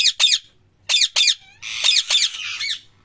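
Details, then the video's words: Parrot calling loudly, with doubled harsh screeches, then a longer run of overlapping raspy squawks that fades out. "Parrot chirping sound | Parrot Loud Calling Sound | Parrot natural sound"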